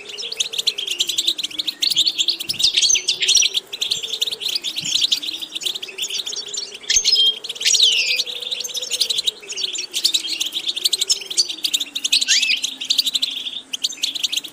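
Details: European goldfinch singing continuously for nearly fifteen seconds in material for training the bird's vocal repetitions: fast, tinkling chatter packed with short metallic notes and occasional upward slurs, with a soft wavering low hum behind it.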